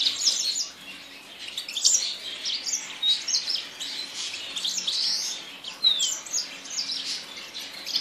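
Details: Yasmin bird singing in bursts of high, squeaky chirps and short trills, with a few quick down-slurred whistles between busier phrases.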